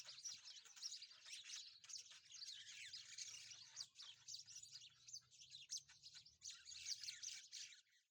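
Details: Rosy-faced (peach-faced) lovebirds playing together chatter nonstop in shrill, squeaky chirps and twitters that overlap in a busy, high-pitched stream, with brief pauses.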